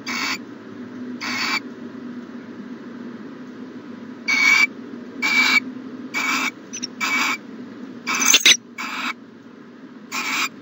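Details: An owl's rasping screeches at a nest box, recorded on the morning of 14 January 2020. About ten short hissing bursts come at irregular spacing, with a sharp click near the eighth second and a continuous low hum.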